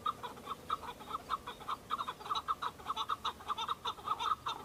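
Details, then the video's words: On Bamo mountain in Kurdistan, several male Chukar partridges fight and display for females in breeding season, their dense, rapid chuck-chuck notes tumbling in overlapping runs without pause. "شەڕە کەو - دەنگی کەو - معرکة بين الطيور حجل- کبک - صوت حجل - Chukar partridge fighting -Chukar call"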